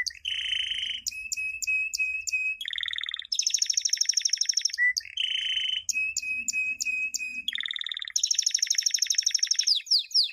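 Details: Training song of a champion canary for youngsters: alternating low rattling rolls, steady level whistled tones with high pips, and dense rapid high trills, a pattern repeated twice.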